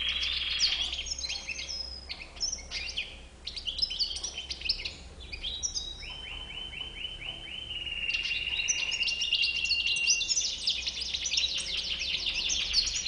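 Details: White-chinned European goldfinch singing a long, varied song: sharp high chirps and twitters, a rolling series of repeated descending notes midway, then a sustained buzzy, tinkling trill.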